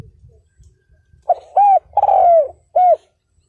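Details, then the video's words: Decoy spotted dove calling to draw in wild males: a faint soft coo leads into an arched coo, a drawn-out falling coo and a closing arched note, with low rumbling background noise. "CHIM CU GÁY MỒI ĐẤT KÍCH BỔI CỰC SUNG"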